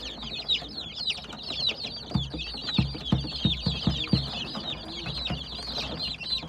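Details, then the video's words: Many baby chicks peeping together, a steady stream of high, falling cheeps, with a run of low knocking thuds in the middle. "Baby chicks chirping sound"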